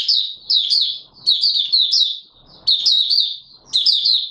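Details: Oriental white-eye singing, recorded 24 March 2022: bursts of high, rapid, sweet twittering warbles, each about a second long, separated by short pauses, with faint low background rustle.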